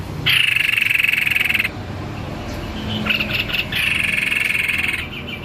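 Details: White-necked babbler in full, energetic song: two long, dense buzzy trills pitched high and held steady, separated by a short stuttering burst of notes, over a faint low background hum.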